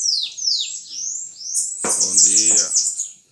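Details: High, thin bananaquit song with quick descending whistled sweeps, then a dense twittering trill. A short, lower, voice-like harmonic sound breaks in midway.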